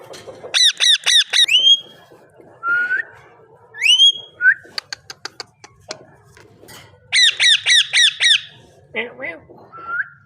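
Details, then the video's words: Parrot vocalising: bursts of rapid, repeated harsh harmonic notes alternating with rising whistles, a string of sharp clicks in the middle, and a final low wavering note and short whistles. "amazing parrot talking and voice"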